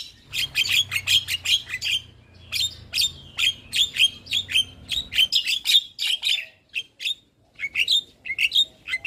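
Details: Javan myna in lively singing form, recorded as a master track for other mynas: rapid run of sharp, high chirps and short whistled notes, closely repeated, with a low hum underneath during the first half.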